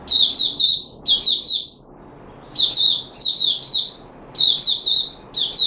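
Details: A caged red-whiskered bulbul, recorded 13 April 2021 while trying fruit juice and a mealworm, sings short phrases of three quick chirps, separated by gaps of about a second.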